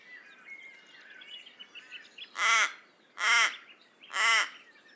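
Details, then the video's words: Three evenly spaced, rough raven caws near the end, preceded by soft background twittering from other birds. "Raven Sound"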